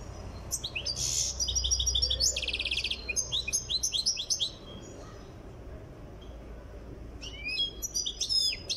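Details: European goldfinch of Tiaret, Algeria, still being trained in song, delivers a lively stream of high, sharp twitters and one dry buzzy trill, pauses for about two seconds, then resumes with bright chirping notes.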